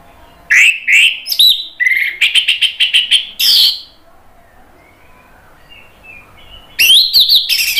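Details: Orange-headed thrush song used as a lure to coax other birds into answering and to help birds that have stopped singing: loud, varied whistled and chattering phrases in two bursts separated by a quiet gap, with a rapid run of repeated notes.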